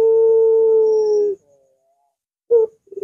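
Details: Barbary dove (puter) with its long, curving voice: one sustained, level hollow coo of over a second, followed after a pause by a short clipped note and the start of a trembling phrase.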